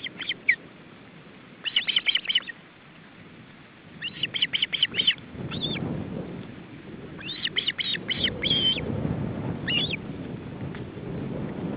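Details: Ospreys at an Estonian nest in July 2012, a male with his chicks during a feeding attempt: bursts of rapid, high whistled chirps in clusters of four to six notes, separated by pauses, over low wind-like rumble.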